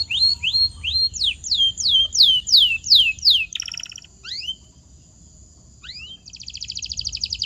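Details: Canary training song meant to make silent or muted birds sing: a series of rising and falling whistled sweeps, a brief rattling burst, a few upslurred notes, then a sustained rapid buzzy trill.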